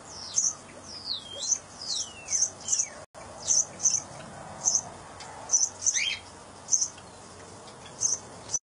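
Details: A cockatiel mother feeds her chick. Repeated high, piercing chirps come in quick clusters, mixed with curving descending whistled notes early and midway, against a soft hiss.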